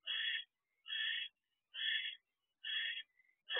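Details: Male barn owl delivering dinner to his mate in a nest box on the evening of 25 December 2023; four evenly spaced harsh, hissy, chittering bursts about half a second long, repeated roughly every 0.9 seconds.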